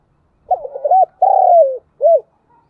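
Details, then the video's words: Decoy spotted dove giving one full calling phrase, meant to excite wild birds: soft stuttered opening coos, then a long drawn-out descending coo and a final short arched note, in otherwise quiet surroundings. "Tiếng cu gáy mồi chuẩn Gáy Gọi"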